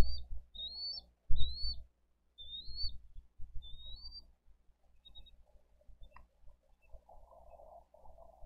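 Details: Wild bald eagles at a nest in Dade County during a live nest-cam feeding on 22 April 2023, as the parents bring in fish and feed eaglets: several thin, high whistled notes, some rising then dipping, over low rumbling and knocking noise.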